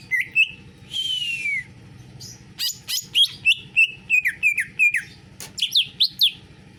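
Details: Song in canary style by a greater green leafbird: a descending whistled slur, then a lively string of short, clear, bouncing whistles and chips at varied pitches, delivered in quick succession.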